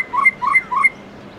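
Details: White-rumped shama morning song in 'forest voice' style: three mellow two-part whistled phrases, each a low note rising into a higher ringing one, evenly spaced, then quiet.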